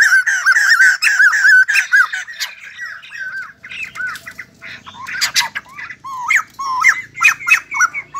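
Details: White-crested laughingthrush in dancing song, first delivering smooth bouncing squawky notes, then a scattered series of sharper, clipped calls with rising inflections.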